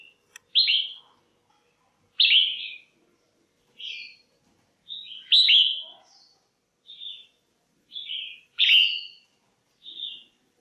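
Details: Calling female red-whiskered bulbul, used to stimulate males or for pairing: sharp bright whistled notes repeated roughly every one to two seconds, some loud and emphatic, others softer, with faint low background noise.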